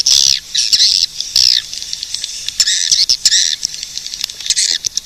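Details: Swiftlet calls: loud, buzzy chattering bursts about half a second long, alternating with quieter high twitters and scattered clicks.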